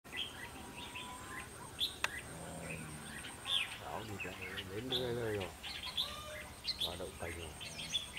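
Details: Red-whiskered bulbul, a decoy bird used for trapping, giving its fighting song: short bright chirps and whistled notes scattered through the clip. A human voice talks over the middle section.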